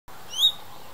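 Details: Orange-bellied leafbird giving a single clear, rising whistled note, high-pitched and brief, over quiet background hiss.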